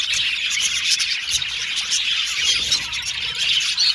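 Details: Cute budgerigars chattering contentedly; many birds tweet at once in a thick high-pitched wash of chirps, with a clear short whistle near the end.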